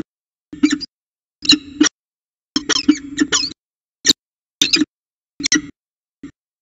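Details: Peregrine falcons at a nest with eggs, Orange CSU, NSW, 5 September 2020: loud, raw, chattering bursts of grating calls separated by brief silences, some bursts long and stuttering, others single sharp notes.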